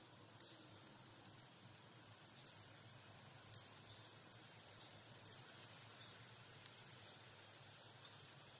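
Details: Hawfinch giving short, sharp, high ticking calls, eight clicks spaced irregularly about one second apart against a quiet background with faint low rumble.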